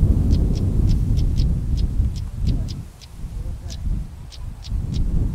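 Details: One of a pair of stonechats gives sharp, clicking tchak calls, like two pebbles knocked together, several times a second over a heavy low rumble of wind or distant traffic.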